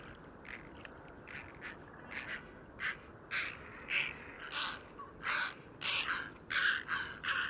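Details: Grey herons at the Domaine de Certes, France, trade harsh, rasping squawks, one or two a second, growing louder and more crowded toward the end over a soft background hiss.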